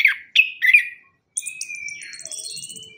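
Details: Orange-headed thrush giving lively lure song for birds that stopped singing after moulting: three loud chopped warbling phrases, then a long thin whistle under a very high, fast repeated trill.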